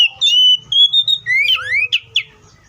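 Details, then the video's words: Oriental magpie-robin song with long steady whistles stepping slightly upward, then a rising swoop and several quick chirps, over a low background rumble. "THE BIRD COPSYCHUS SAUCARIS VOICES MUCH LONG LIKE IN NATURE!"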